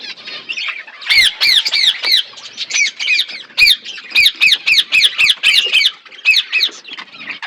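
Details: Budgerigars in a flock, eating food, with a string of loud, arched, squawky chirps repeated roughly every third of a second, over soft background chatter.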